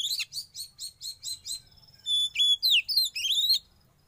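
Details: Young wild-caught Oriental magpie-robin under sauna therapy, opening with a quick series of six identical high chirps, then a pure whistled note and a tumbling run of bright, sliding whistles.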